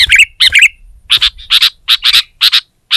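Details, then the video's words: Sooty-headed bulbul singing loudly and aggressively to overpower a rival, setting other bulbuls singing too. Short bright chattering bursts in quick series, roughly three per second, with clean pauses between them and no other sounds. "Suara Burung Kutilang Gacor Menekan Lawan Terbaik || Burung Kutilang Lain Emosi Dan Ikut Gacor"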